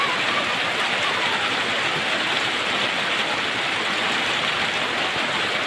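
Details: Steady rushing water or rain fills the recording throughout, with no animal voice standing out.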